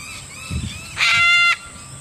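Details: Little corella from a wild flock of about 20 visiting Moorooka, Australia, giving one loud, harsh, strongly harmonic screech lasting about half a second, with faint low rumbling before it.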